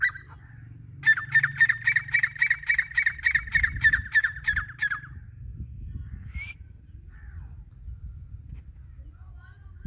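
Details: Grey francolin giving a fast, regular run of loud, harsh ringing notes, about fourteen in four seconds, then silence broken by one brief rising whistle, with a low rumbling background throughout.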